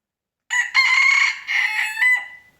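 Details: High-pitched morning crowing from a rooster, four hoarse syllables strung together over about two seconds, the final one trailing off thinly; nothing else audible.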